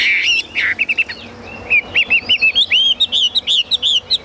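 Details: Chinese hwamei kept as a cage bird, delivering clear rising and falling whistles that quicken into a rapid string of sharp, ringing notes.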